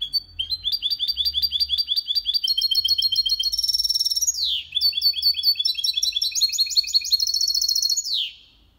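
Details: Goldfinch-canary hybrid delivering a long clean song for stimulating males and tutoring young birds; quick repeated chirps in changing trilled phrases, a buzzy high rattle near the middle, falling sweeps at the ends.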